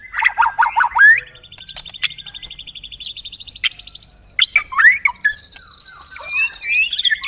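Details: Murai batu, the white-rumped shama, a bird that mimics other birds, singing 'tembakan rapat': rapid low chattering, then long high trilled rattles, ending in fast whistled slurs and chirps.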